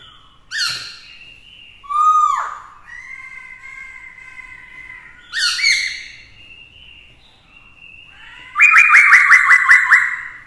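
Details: Black-throated laughingthrush singing in a fighting mood beside a female; swooping whistled notes at intervals, then a fast buzzy rattle of rapidly repeated notes.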